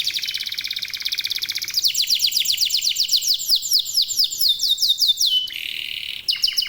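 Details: Domestic local canary singing energetically as a prompt for other canaries: a bright buzzy trill gives way to rapid descending high sweeps, then brief pauses and a new rattling phrase.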